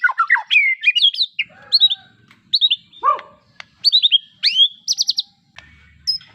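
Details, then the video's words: White-rumped shama song of loud, clear whistled phrases, rising and falling slurs and bright rapid trills, delivered in quick varied bursts. "suara kicau murai batu"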